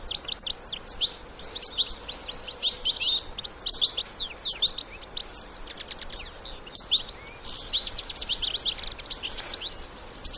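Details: Out in the wild, European goldfinch adults with young sing a long, lively twitter: rapid high chirps, sharp clicks and short trills in repeated bursts across the whole stretch, with only soft background noise.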